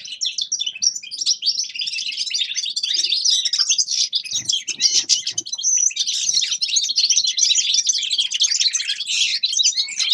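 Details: Unbroken, rapid twittering from a grey-crowned goldfinch, a bright jumble of high chirps, trills and buzzy notes, with a few soft low knocks midway.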